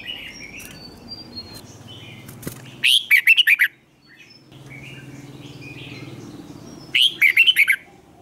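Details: Red-whiskered bulbul giving competition song to spur other birds on. Loud, choppy phrases of five or six quick, high, warbled notes come about four seconds apart. Softer twittering fills the gaps, and a low background hum is heard throughout.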